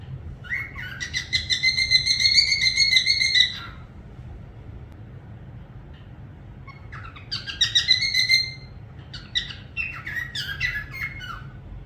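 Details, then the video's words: Parrot whistles a long pulsed trill lasting about three seconds, then after a pause a shorter trill and a run of quick varied chirps, over low hum. "parrot sound whistling"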